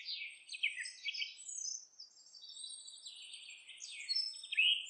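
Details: Nest-building house wren delivering a rich gurgling song, a continuous tumble of quick high trills and chatters with a few sharp upslurred notes near the end.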